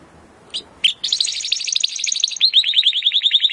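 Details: Timbrado canary song used as training audio to improve canaries' singing: after two faint notes, a fast run of high rattling trills and rapid downslurred chips, steady and bright.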